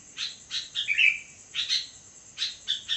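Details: At midnight, a sooty-headed bulbul gives a few brisk chirped notes and one rolling, falling whistle near the middle, with a constant high-pitched hum underneath.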